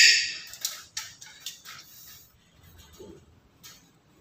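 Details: Black-capped lory, a talkative pet, gives a few harsh, scratchy shrieks in quick bursts over about two seconds, then falls quiet apart from faint room noise.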